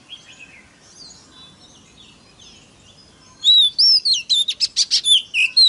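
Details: Magpie-robin (kacer) song played to stir up other magpie-robins: quiet distant chirps at first, then a sudden loud sequence of slurred whistles and rapid clipped notes repeated several times a second.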